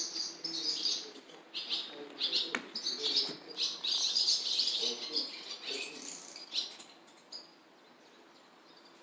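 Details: Nestling barn swallows begging as a parent feeds them, at Jeongseon bus terminal, Gangwon-do, South Korea. Dense, high, rapid twittering chorus swells for about seven seconds, then fades to quiet ambient noise. Smartphone recording.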